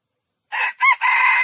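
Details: Junglefowl crowing: a harsh, broken crow in three quick bursts, the middle one higher and ringing, with no other sounds.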